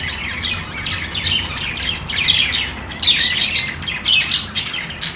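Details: Budgies chatter in a busy stream of scratchy, high chirps and short squawks, growing louder and denser in the second half, with a faint low hum underneath.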